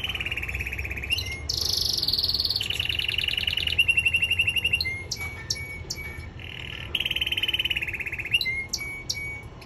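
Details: Training song of a male canary: a continuous series of rapid rolling trills, each held for a second or two before jumping to a higher or lower pitch, punctuated by short clear whistles, over a steady low rumble.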